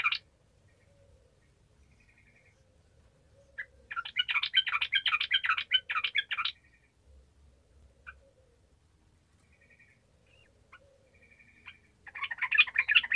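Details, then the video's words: Yellow-vented bulbul singing vigorously, used to stir silent bulbuls into song: a dense, rapid, bubbling chatter lasting about two and a half seconds, then sparse soft chirps, then another loud chattering burst. "TRUCUKAN MALAS LANGSUNG MERESPON DENGAN SUARA TRUCUKAN GACOR INI"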